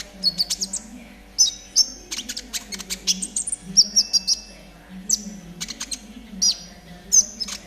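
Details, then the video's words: Konin singing in trotol style, meant to coax caged birds into song: bright high whistles and clicking chirps delivered in dense repeated bursts, a steady faint low drone in the background. "TERAPI KONIN TROTOL AGAR CEPAT BUNYI || MASTERAN KONIN TROTOL GACOR"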